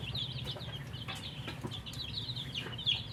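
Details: Dyed poultry chicks, said to be thirsty, peep busily while drinking water: shrill, quick chirps tumbling over one another, plus soft low rumbling background.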